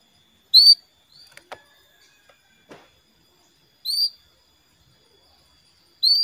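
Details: Female canary calling the male: three short bright calls with a slight upward inflection, spaced roughly three seconds apart, separated by near silence and a few soft clicks.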